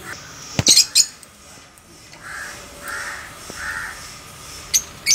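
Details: A pair of 10-month-old sun conures give loud, harsh screeches in quick bursts, with softer chattering notes between them.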